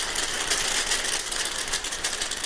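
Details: A flock of oilbirds, which echolocate with their voices, streams into a cave at night, recorded from inside: dense, rapid, dry clicking like many typewriters at once, turned down in volume, going on for about 45 minutes.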